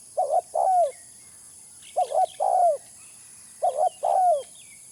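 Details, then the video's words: Spotted dove cooing used to lure birds: three phrases, each a quick double coo followed by a longer, falling, purring note, spaced nearly two seconds apart, with soft high twitters in the background. "Suara pikat terkukur original"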